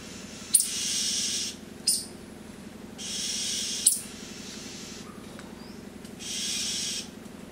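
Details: Oriental magpie-robin alarm call after seeing a rat snake, warning other birds of danger: harsh, hissing rasps about a second long, repeated every few seconds, with a few sharp clicks and a low steady hum beneath.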